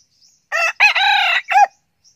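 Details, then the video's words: Crowing of a young male red junglefowl used as a decoy bird, 2019: a loud, hoarse three-part crow, with a short opening note, a drawn-out middle and a clipped final note, all within about a second, in near silence. "Gà tơ siêng gáy, gà rừng mồi 2019"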